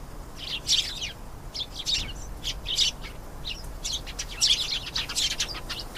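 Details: Canary song of quick, high chirps and rapid trilled bursts, loudest near the start and again after the midpoint, with short pauses between phrases and light hiss behind.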